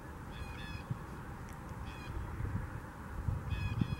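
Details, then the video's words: Blue jays in Huron Natural Area, Kitchener, give harsh, nasal calls in short bursts of two or three, repeated a few times, over a steady low wind rumble. "Blue jays symphony"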